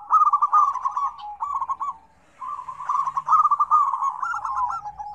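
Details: Zebra doves call in a busy combined recording meant to prompt silent doves. Fast, bubbling coo trills fill the first two seconds, a near-silent pause follows, then dense rippling phrases resume.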